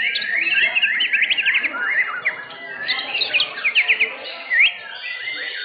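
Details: White-rumped shama of the blorok class in an Indonesian bird-singing contest, first-place winner of session 7; rapid bright whistled phrases and fast repeated trills, overlapping song from several birds, a sharp upslurred note near the end.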